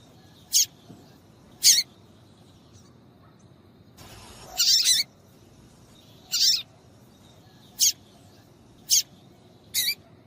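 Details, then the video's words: Repeated high chips from a female papa-capim seedeater, meant to stimulate males to sing for tournaments. Single notes fall roughly every second, with a brief rustle and one broader burst midway. "MELHOR PIADO DE FÊMEA DE PAPA CAPIM PARA DEIXAR SEU PAPA-CAPIM DOIDO PARA CANTAR LOGO!"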